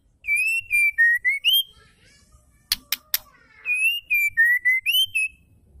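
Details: Female white-rumped shama voice used to stimulate males to sing: a clear five-note whistled phrase that falls and then climbs, a burst of three dry clicks, then the same whistled phrase again.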